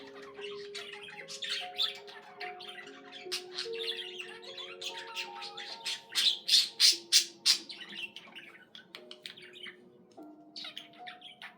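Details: Budgerigar twittering and squawking over slowly shifting soft musical tones, building to a run of loud, evenly spaced harsh chirps about three a second before fading.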